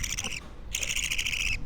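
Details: A baby budgerigar, two weeks old, makes two grating, buzzy rasps, a short one and then a longer drawn-out one, with a quiet gap between them.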